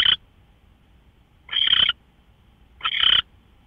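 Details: Owl at 5:27 AM, 24 March 2013, producing harsh breathy screeches: the tail of one, then two full rasping notes roughly one and a third seconds apart, over a quiet background.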